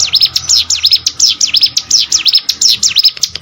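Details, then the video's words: Hill prinia song as training material for competition birds, a very regular, rapid sequence of high sweeping notes, each dipping and climbing, packed closely together. "CIGUN ATAU PRENJAK GUNUNG!!! MASTERAN UNTUK BURUNG LOMBA"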